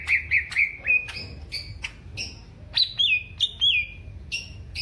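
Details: Caged greater green leafbird from Alas Purwo, Banyuwangi, Indonesia, in a mental test showing fighting character; clear whistled notes, some sliding and descending, mixed with sharp chips.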